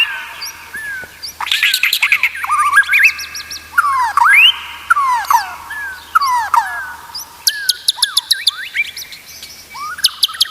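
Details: White-rumped shama training song: varied melodic phrases of curving whistles and chips, a buzzy start, then steeply rising notes and clusters of high clicks, ending in scattered short notes.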